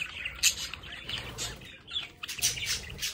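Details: Short bursts of scratchy chirping and warbling from pet budgerigars at a home window, calls overlapping in quick succession.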